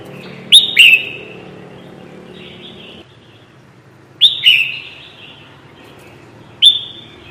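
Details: Red-whiskered bulbul trapping lure: paired bright chirps, the second slightly lower, then a lone chirp, groups a few seconds apart, over a soft low background hum.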